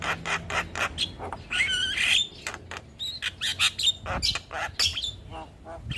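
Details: Chattering 'gacor' song of a Javan myna serving as training material for other mynas: dense runs of sharp clicks, buzzy rasping notes and brief high whistles in quick succession.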